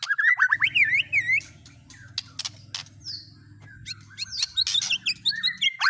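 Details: White-rumped shama song carrying imitations of speed cililin, canary and lovebird: a burst of twisting whistles and harsh notes, a quieter gap with low hum behind, then more scratchy chatter and squeaky whistles.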